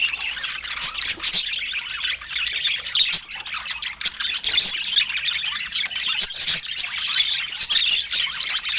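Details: Budgerigars with fruit and healthy food produce a bright, high, scratchy chatter of squawks and twittering chirps, with louder outbursts around the third, fifth and sixth seconds.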